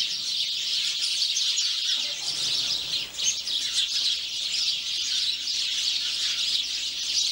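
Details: House sparrows in a garden keep up a dense, overlapping chatter of short, bright chirps with no pauses, like a small flock calling together.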